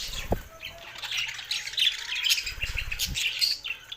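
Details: Pet budgerigars chattering and singing, a dense flock-like stream of scratchy chirps and warbles high in pitch with brief low thumps near the start and middle.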